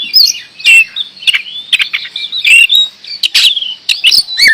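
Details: Oriental magpie-robin singing in gacor door fashion: harsh chattering bursts and sharp clicks interwoven with brief sliding whistles, delivered in quick, jerky phrases.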